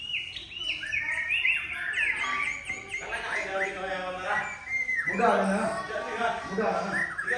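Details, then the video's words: Male white-rumped shama of the Sabang type, standing chest-out and threatening a rival. It gives a varied, rich song of fluty whistles and quick slurred phrases. A lower, voice-like harmonic section follows midway. "Murai Balak Sabang Tegak Dada Ancam Lawan Main"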